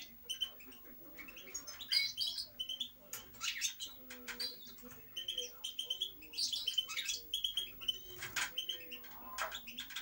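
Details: Lively European goldfinch song over about ten seconds: tinkling, twittering phrases mixed with dry clicks, short buzzes and clear whistled notes, the bursts rising and falling in loudness, a soft steady hum underneath.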